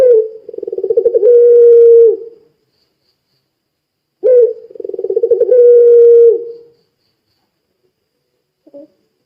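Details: Puter pelung dove repeating its deep coo to get other doves singing: two similar phrases, each a pulsing roll ending in a long sustained note, roughly four seconds apart, followed by a brief faint note.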